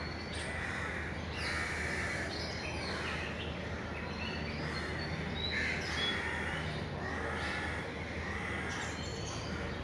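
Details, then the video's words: In the morning, weaver birds flying in and out of their nests chatter in harsh, overlapping chirps and buzzy bursts every second or two, over a steady low rumble of background noise. "weaver birds chirp"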